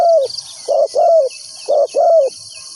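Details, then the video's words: Decoy spotted dove calling for wild doves to trap: a falling coo, then two pairs of soft low notes, short then longer and sliding down, with a continuous high insect hum. "chim cu mồi gáy gọi bổi"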